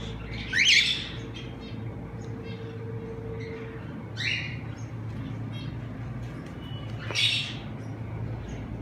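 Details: Semi-adult cockatiel pair kept for sale in Madurai, giving three separate short, rising, screechy calls spaced across the recording over steady low background hum and noise.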